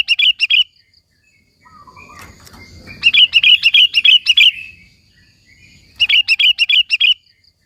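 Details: Sooty-headed bulbul in full song for luring and provoking other bulbuls: fast runs of bright, bouncing notes, seven or eight in quick succession, delivered in three bursts separated by quiet gaps.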